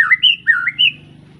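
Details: Young captive White-rumped shama, just out of juvenile plumage after moulting, from an Arko Tangerang bloodline, singing: four clear whistled phrases, sliding and rising, with a low steady hum beneath.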